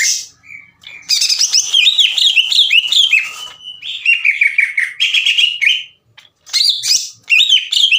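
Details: Green leafbird singing to provoke rivals into song: an extended burst of rapid rich warbling and slurred whistles, a brief silence, then further short energetic phrases.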